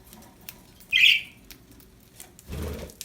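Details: A happy budgie gives one loud, harsh, buzzy chirp lasting about a third of a second, followed by a soft low rustle like wing flapping near the end.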